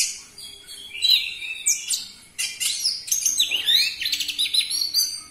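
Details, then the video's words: Lure song of an orange-headed thrush used to provoke captive birds: a continuous, fast, high-pitched medley of chattering notes, squeaks and slurred whistles with almost no pauses. "Pancingan Burung Anis Merah Cepat Teler Suara Kenceng"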